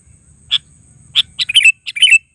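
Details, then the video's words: A sooty-headed bulbul gives bright, bubbling chirps: two single notes, then a quick rolling burst of warbled phrases, over a faint low hum. "Suara Burung KUTILANG GACOR Panggilan Suara Asli"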